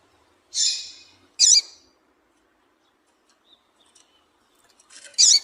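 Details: Female double-collared seedeater call, played to stir males into singing: two loud, high chirps in quick succession, then a pause of over three seconds before a third bright chirp, with faint soft ticks between.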